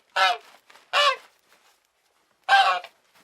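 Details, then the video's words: Three strident nasal honks from a goose, two close together and a third after a pause of about a second and a half, in a quiet background. "Sounds of geese"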